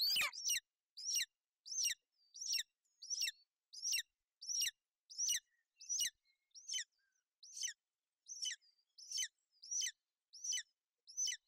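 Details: At a Bucovina golden eagle nest, 28 May 2021, a female shelters her chick in bad weather; a steady run of high, thin chirps, each sliding downward, comes about once every 0.7 seconds on a quiet background.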